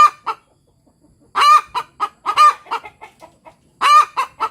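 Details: Village hen (ayam kampung) cackling 'tok tok petok', a call given after laying an egg or when something strange is noticed; clipped clucks build into two loud, drawn-out, arching notes, with quieter clucks trailing between them.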